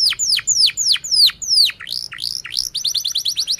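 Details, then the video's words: Canary singing a series of loud falling whistled notes about three per second, then a quick high rolling trill. "kenari gacor panjang Cuit Cuit EMOSI, Pancingan Kenari Paud Belajar Bunyi"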